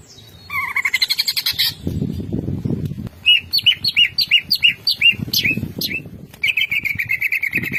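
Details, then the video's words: Greater green leafbird running through its 'isian' fill-in song: rapid buzzy chatter, a string of short bright whistled notes repeated quickly, then more scratchy chatter, with low rumbling noise in the background. "CUCAK IJO BONGKAR ISIAN..DIJAMIN CUCAK IJO MAKIN GACOORR"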